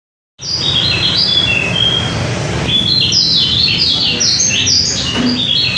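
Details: Lombok white-eye (pleci lombok, kecial), used as a lure bird; rapid high, thin twittering song of short descending whistled notes, bursts of chirps in quick succession over steady low background hum.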